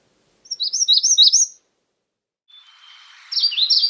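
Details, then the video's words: Magnolia warbler giving two short phrases of high slurred, rising-and-falling notes, each burst about a second long, separated by a silent gap and a faint thin whistle before the second phrase. "Magnolia warbler Calling."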